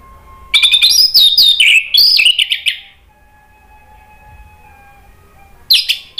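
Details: Orange-headed thrush male singing a lure to trigger replies: a dense 2.5-second stream of high, sweeping whistles and trills, a pause with faint tones, then the song starting again.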